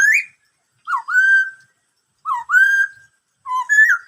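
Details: "Bắt cô trói cột" song from a black-throated laughingthrush. Three two-part phrases each run from a short dipping note into a long, level, full whistle, clear and loud against silence.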